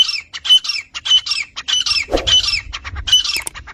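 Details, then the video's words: Titar, Iranian or Dhakni partridge, calling as a lure for catching or making partridges fight: rapid, scratchy, high squawking notes about twice a second, with a short low thud midway. "Iranian & Dhakni Titar saaf awaaz Male Female Sounds"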